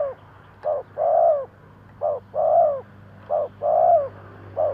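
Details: Spotted dove kept as a lure bird, cooing in the 'thúc gù' style to draw in wild doves. Soft stuttered notes lead into a long mellow coo, the phrase repeating about three times over low hum.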